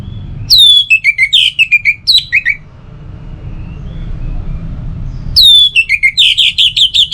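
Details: Loud orange-headed thrush song, a morning and evening lure to get birds singing: tumbling sequences of high, downslurred whistles and fast scratchy notes in two bursts, separated by a quiet stretch of low hum.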